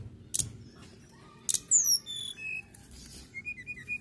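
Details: Mountain tailorbird singing: very high whistles sliding downward, a steady held note, then a row of short repeated whistled notes, with two sharp clicks early on.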